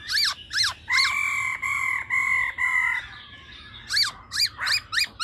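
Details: Female laughingthrush in 'ro ro' voice, used for quickly firing up males: two sharp downslurred notes, then four nasal buzzy held notes in a row, followed by a series of sharp descending chips.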